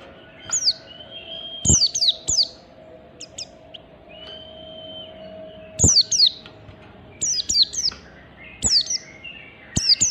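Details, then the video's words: Standard ngalas song of an oriental white-eye, used to provoke other white-eyes to sing: clustered high, squeaky descending chirps separated by pauses, a couple of long level whistles, sharp clicking knocks and a constant low electrical hum. "Pleci Ngalas Standar Memancing Pleci Bunyi"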